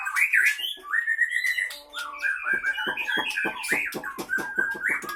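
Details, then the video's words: Caged white-rumped shama from Pining, Leuser, Aceh, fighting: fluting whistled phrases giving way to a fast series of sharp, clipped notes repeated about three times a second. "Murai batu Aceh Leuser Pining CBF ACEH Tempur di kandang"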